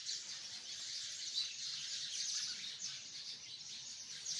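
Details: Massed chirping of hundreds of sparrows in a tree: high, busy, overlapping twitters forming a continuous chorus that rises and dips slightly in volume.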